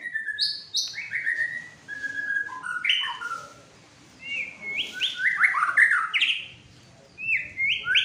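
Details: Agitated fighter white-rumped shama: a mix of clear high whistles and lower slurred notes, then a loud bubbling series of rising, upswept notes after a brief pause.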